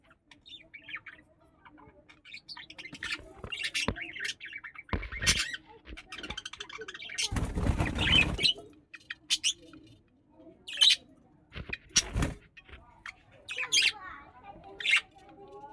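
Budgerigars give sharp, scratchy squawks and chirps in irregular bursts, with broadband rustling or flapping between.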